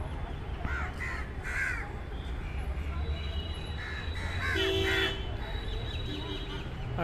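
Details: At a feeding spot in Delhi, crows caw loudly as if complaining about a visitor; rough, nasal caws repeat in clusters across the first half and again near the end, with steady traffic rumble beneath.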